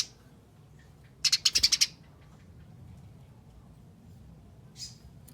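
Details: Eurasian tree sparrow giving fighting chatter, played as a lure to get other sparrows singing: one quick burst of about seven harsh, dry chips in half a second, then near silence with a faint later note.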